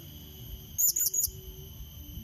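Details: Blue-crowned hanging parrot rival-luring call: one quick run of three to four high, thin squeaky notes in under half a second, with a faint continuous hum behind.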